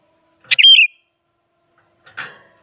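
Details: Sooty-headed bulbul, an active bird used to goad rivals into singing, gives one quick bubbling phrase of a sharp note and warbled whistles, followed over a second later by a soft broadband rustle or knock.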